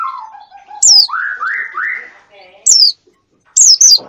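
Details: Wild-bird lure calls: low warbled phrases sliding downward, a series of rising whistled notes, and isolated loud, sharp high chirps falling in pitch, separated by short silences.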